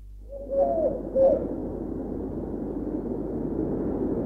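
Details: Two short, low, hollow coos from a Eurasian collared dove, a common bird in Bulgaria still singing in autumn, about half a second apart, followed by a steady broad hiss or murmur.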